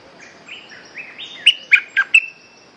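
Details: Red-whiskered bulbul song used as a lure for trapping: soft warbled phrases building into a few loud, bright, sliding whistled notes, with a steady hiss behind.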